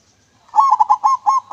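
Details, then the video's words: Local zebra dove (perkutut) with a clear voice, recorded as a lure: a steady series of about seven rhythmic, rolling coo notes at mid pitch, rising in strength through the sequence. "PERKUTUT LOKAL MANGGUNG SUARA JERNIH COCOK BUAT PANCINGAN"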